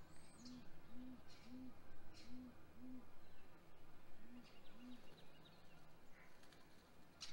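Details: Great grey owl pair at their nest during hatch week, 7:26 am on 27 April 2020, filmed by a live nest camera as the male delivers prey to the female. A run of seven soft, deep hoots about half a second apart, with faint songbird chirps above.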